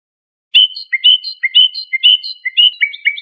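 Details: European goldfinch, Iranian Lor training song for teaching juvenile birds, sung calmly: sweet, liquid chirps bounce between two pitches in a lilting rhythm, steady and unhurried. No other noise.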